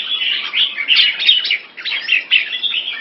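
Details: A captive Red-whiskered bulbul in molt, Singapore, June 2017. It sings a brisk series of clear, whistled chirps in short bursts with a brief pause midway.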